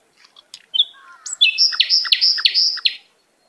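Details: Wild forest bird chirping: scattered soft ticks, then a fast run of bright whistled notes with sharp downward strokes, repeated about three times a second, on a quiet background.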